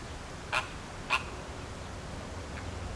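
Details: Zoo flamingos at Philadelphia Zoo during a flock display, circling together with wings flapping; two short, harsh honks about half a second apart, then a fainter third call, over a low background hum.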